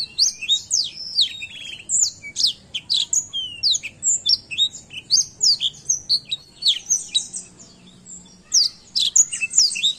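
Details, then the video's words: Black-throat in lively tutor song: rapid high whistles, slurred chirps and buzzy trill fragments run together in quick phrases, with one short gap near the end before singing resumes. "MASTERAN BLACK THROAT GACOR"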